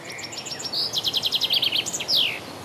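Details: A common chaffinch (Fringilla coelebs) sings on 27 June 2017: a bright, quick run of high notes that falls in pitch and ends in a sharp downward flourish, all in under three seconds.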